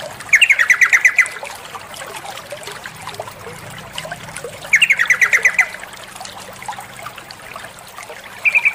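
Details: Female sooty-headed bulbul calling the male, played to make males sing continuously: short bursts of rapid, chattering trilled notes, each lasting about a second and repeated every few seconds, over steady low background noise.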